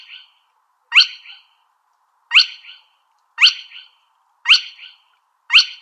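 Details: Spotted crake calling: sharp, whip-like whistled notes that rise steeply, each with a brief fading tail, repeated about once a second, six notes heard; background otherwise quiet.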